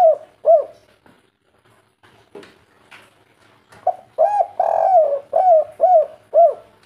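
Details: Local wild-type spotted dove (tekukur, derkuku) singing the "kuk 3" style. Soft rounded coos in short clusters break off into a pause, then resume as a steady string of about six mellow notes with one longer, wavering middle coo.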